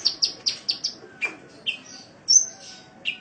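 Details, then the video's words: Sunbird from a cage-bird training master: a quick series of five high chirps, then a lower downslurred note, scattered whistles and a bright high flourish, all thin and sharp. "Masteran Suara Burung Kolibri"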